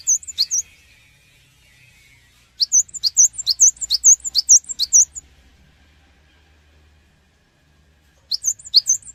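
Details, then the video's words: Rapid high-pitched whistled phrases from a cinereous tit, meant to draw responses from other birds. Sharp dipping notes come in runs, one long run of about ten notes in the middle, with a faint low hum behind. "Pancingan Suara Burung Gelatik Batu Cepat Respon"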